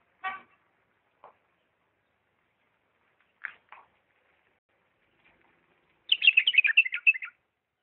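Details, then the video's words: Bulbul from Diyala in the refined "lisanat" song style: a few scattered short clicks and chips, then a quick tumbling phrase of warbled, chattering notes lasting just over a second. "اجمل تغريد بلبل ديالى طور لسانات راقيه"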